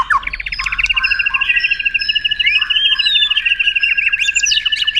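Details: White-rumped shama singing as a tutor for contest birds: a rapid, even, continuous trill of high repeated notes lasting several seconds, with a few sharp sweeps at the end.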